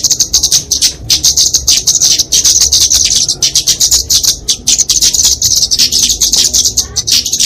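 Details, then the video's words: Fighting song of a flowerpecker, used as a tutor and lure for small songbirds: nonstop piercing high twitters delivered in quick stuttering bursts with barely any gaps. "Kicauan Kemade Tarung Untuk Masteran&Pikatan Burung Kecil"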